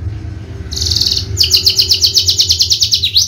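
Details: Contest-winning Javan bushlark gives a short high buzz, then a quick train of sharp descending chirps repeated several times per second, ending in a swooping note.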